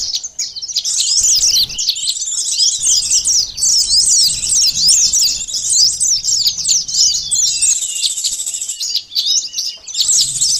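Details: Sunbird song played as a bird-catching lure: a continuous stream of thin, sharp, rapidly zigzagging notes, scratchy and hurried, lasting about ten seconds.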